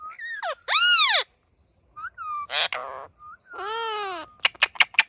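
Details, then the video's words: Parrot producing a varied run of harmonic, arching and buzzy sounds that rise and fall, some long and speech-like. A quick burst of sharp clicks comes at the end. "Amazing Talking Funny Parrot"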